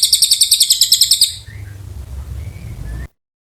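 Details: Oriental white-eye in long, lively song: rapid high twittering notes repeated several times a second, which stop after just over a second, leaving a quieter stretch with faint distant chirps before silence.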